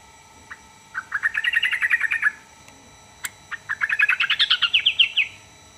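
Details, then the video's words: Sooty-headed bulbul song, known for drawing replies from others: two chattering, bubbly phrases of rapid notes, the second climbing higher, separated by a sharp click. "burung trucukan manapun langsung nyaut dibuatnya"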